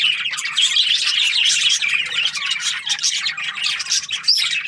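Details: Budgies in the morning keep up a lively chorus of chirps, squeaky whistles and fast warbled twitters, constant and full throughout.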